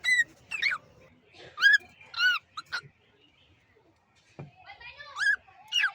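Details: Cockatiel calling with harmonic, swooping whistles in short groups, interspersed with brief pauses and faint background sounds.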